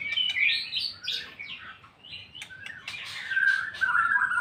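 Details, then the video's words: White-rumped shama ngeplong song heard at a distance, with scattered whistles and trills over a steady hiss of background noise. "MURAI BATU NGEPLONG-NGEPLONG"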